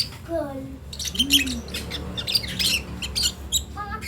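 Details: Chick of a lovebird learning to call, uttering scratchy chattering squawks in uneven runs, with a faint low hum and occasional tonal slides underneath.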